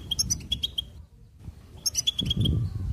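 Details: Goldfinch song in two short twittering bursts of quick, bright repeated notes separated by a silent gap, with low murmuring background noise underneath.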